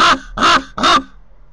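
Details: A common raven, one of a pair at a cliff nest site near Corbera de Llobregat, Barcelona, recorded by a nest camera, gives three harsh, grating croaks in quick succession, each short and coarse, under half a second apart, then quiet.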